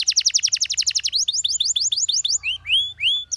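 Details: Canary song meant for training: a quick rolling trill of repeated notes for one second, then a series of rising whistled sweeps, ending in a few longer slurred whistles.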